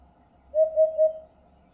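A Eurasian hoopoe gives three soft, low, hollow hoots in quick even succession, "oop-oop-oop", against a quiet background.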